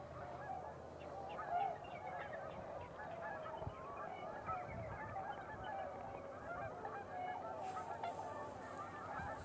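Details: Large flock of wild tundra swans gathering on a pond at dusk during the twilight hour, many birds flying in; dense continuous chorus of overlapping mellow honking and whooping calls, a constant babble from many swans with low background rumble.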